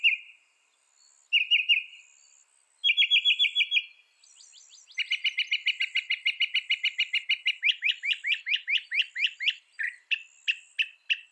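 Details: Northern mockingbird in varied song: short buzzy bursts, a fast rattling trill held for several seconds, then a sequence of sharp rising and falling chips repeated rapidly.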